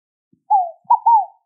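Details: One clear scaled dove phrase, a drawn-out descending coo leading into a quick note and a longer swelling one, with a couple of faint clicks.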